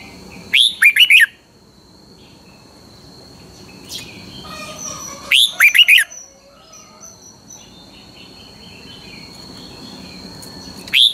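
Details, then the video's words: Thai Pala-u red-whiskered bulbul in 'double' song style, delivering three short bright phrases about five seconds apart. Each is a rising note and a fast warbled trio, separated by quiet stretches with soft background chirps. "เสียงนกกรงหัวจุก นกป่าละอู เพลงเบิ้ล2 เพลงเบิ้ล3"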